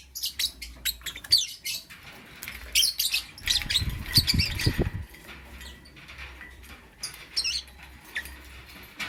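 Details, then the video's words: Lovebird in the morning with frequent high squeaky chirps throughout, broken by a short spell of low thumping or fluttering in the middle. "Amazing Lovebird - Beautiful Colors - Chirping Sounds"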